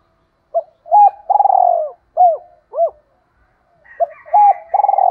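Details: Two-ending song of a spotted dove provoking a rival: short clipped notes, a long tremulous purr and two rounded coos, then the phrase starts again while faint higher coos sound behind it.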